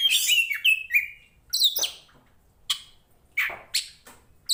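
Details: Oriental magpie-robin of the poci Tretes kacer type, a fighting bird in full vocal form, recorded to train other birds' mentality: bright whistled slurs and buzzy rising notes at first, then short sharp chip bursts spaced about half a second apart.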